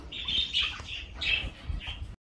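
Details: Major Mitchell's cockatoo (Lophochroa leadbeateri) gives four harsh, grating squawks in quick succession over about two seconds, with a low background rumble.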